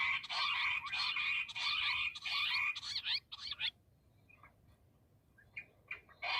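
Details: Bush quail calling, a series of loud, harsh, rapid bursts repeated almost twice a second for over three seconds, then scattered softer notes after a pause, with a final loud burst.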